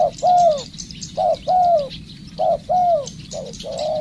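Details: Spotted dove being trained as a decoy bird, cooing in repeated two-part phrases, a brief note then a drawn-out, gently descending coo, about once a second, over soft high-pitched background chatter.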